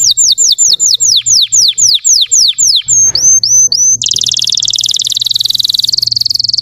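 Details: Russian canary song used as bait to provoke other canaries: a steady series of about a dozen loud, down-slurred whistled notes, then a few short upswept notes, then a fast, buzzy, rolling trill to the end.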